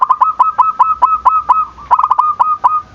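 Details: Zebra dove calling to provoke rivals into calling: a fast run of short, clipped notes, each with bright overtones, repeated about every quarter second, with a brief pause before a quicker cluster near the end.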